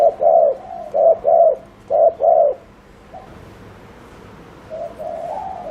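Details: Spotted dove decoy in rapid 'gù' cooing: three quick pairs of low hollow coos, then near silence, with a quieter coo sequence starting near the end.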